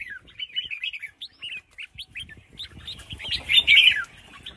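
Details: Caged female red-whiskered bulbul in Vietnam giving calls meant to prompt males to sing; a busy run of warbled, chattering notes, growing louder into a harsh, scratchy burst near the end.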